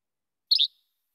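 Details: Yellow-bellied Flycatcher giving the first of its two song types: a single brief, raspy, high two-part phrase, like a Least Flycatcher's che-bek but less sharp, with silence around it.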